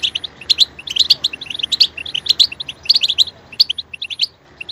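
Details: European goldfinch twittering loudly, with quick high chirps and short trills grouped in rapid bursts, tapering off at the end.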